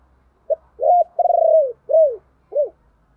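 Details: Decoy cooing of a spotted dove, played to draw in wild birds. A brief note opens a single phrase, followed by a rising coo, a drawn-out throbbing coo that falls at its end, and two short arched hoots.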